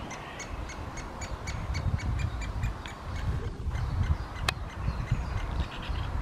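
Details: Great spotted woodpeckers recorded on 24 May 2020: a steady run of short, harsh, harmonic-rich calls repeated about three times per second for over six seconds, over a constant low rumbling background with one sharp click.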